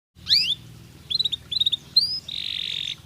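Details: Natural canary song meant to prepare birds for the breeding season: a loud rising-falling whistle, then short buzzy rolled bursts and a sustained flat trill, over a steady low hum.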